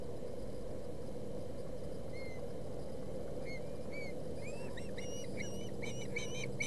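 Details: Ospreys at a Boulder County nest during a fish fight, 20 August 2017. Faint isolated whistled notes at first, building into a quick series of clear chirps toward the end over a low hum.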